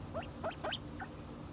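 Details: Several silver pheasants kept in the United States give a quick series of four short, squeaky notes that sweep upward, each sliding from a low to a higher pitch, over about one and a half seconds. A faint steady hum sits underneath.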